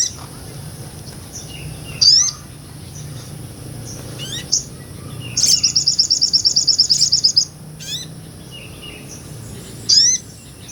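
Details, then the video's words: Sunbird, a small nectar-feeding bird, singing vigorously as tutor song for other songbirds, recorded on a Sony A6400; sharp high upward-flicked chirps spaced a few seconds apart, with one rapid buzzy trill of about twenty notes lasting two seconds. "MASTERAN SOGON NGOBRA"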